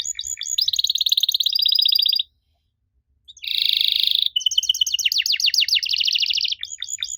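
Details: Canary song played to make young canaries respond: quick trilled phrases and a buzzy roll, a second of silence, then a harsh rolled burst and steep descending sweeps.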